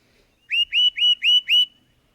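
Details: Tufted Titmouse song variation from Indiana, a peat peat peat version with different tone: five clean, rising whistled notes in quick even rhythm over about a second, silent background.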